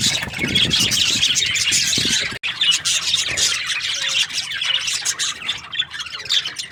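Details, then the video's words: Budgies in breeding season give a steady mass of fast, squeaky chirps and warbles; a brief cut interrupts the chatter partway through. "Lovely budgies chirping sound parakeets breeding season"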